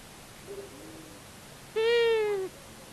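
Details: Long-eared owl, one of a male and female pair, visits a Common Buzzard nest at Tiszavasvári, Hungary, on 23 March 2022. It gives a single drawn-out, nasal, slightly falling call under a second long after a faint softer note.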